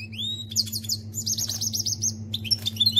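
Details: Canary imitating goldfinch song: a rising whistle, then quick liquid twittering and a long, even, rapid trill of high notes, ending in sharp chips, all above a persistent low droning hum.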